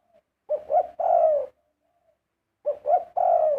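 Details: Loud, close Spotted dove song. Two three-part phrases, each with two short coos before a long, smooth coo, separated by a brief pause with faint soft notes.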